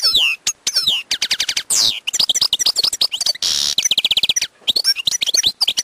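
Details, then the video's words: Continuous song of a wild European goldfinch: rapid, jangling twitters with quick slurred whistles, short buzzy trills and a nasal drawn note, delivered almost without pause. "chant chardonneret sauvage/ تغريد حسون نار"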